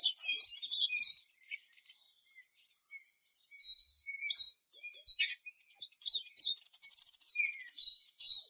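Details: Eurasian siskin song in several bursts: quick twittered phrases, scattered single chirps, a sharp click-like note, then a long buzzy trill near the end.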